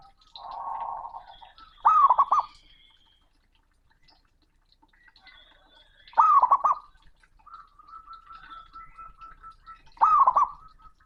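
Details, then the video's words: Male zebra dove calling a rival, with a loud, booming voice: three short, rolling, gurgling coo bursts about four seconds apart, with a faint steady whistled tone and soft murmuring between them. "Perkutut Jantan Panggil Lawan || suara keras dan menggelegar"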